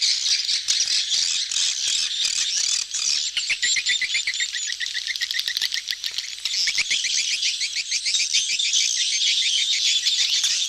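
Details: Crowded swiftlet flock gathering to mate ("betompok"): dense, high chirping twitter from many birds, with rapid buzzy rattling trills surging around the middle and again toward the end.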